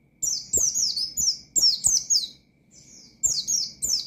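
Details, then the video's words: Vigorous ngalas-style song of an Oriental white-eye, meant to provoke rival white-eyes. Bright, high descending whistles come in rapid runs. They pause briefly, then resume, with soft ticking in the background. "Burung Pleci Gacor Ngalas Nembak Mangil Lawan,Memicu Emosi Pleci Bahan"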